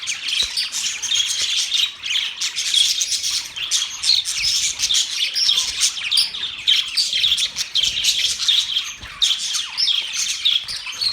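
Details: Pet budgerigars chirping and chattering in a dense, continuous flock chorus of quick, scratchy high notes and short whistles, overlapping without pause.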